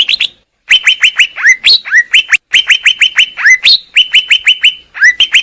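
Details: Greater green leafbird master song: clipped, emphatic downslurred notes delivered in quick runs, with longer falling whistles mixed in and two brief silent gaps.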